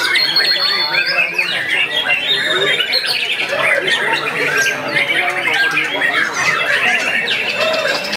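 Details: Junior white-rumped shama (murai batu) starting to unload its song repertoire on seeing a rival and a female: dense, varied warbling with whistled and chattering notes running continuously for eight seconds, with other overlapping sounds.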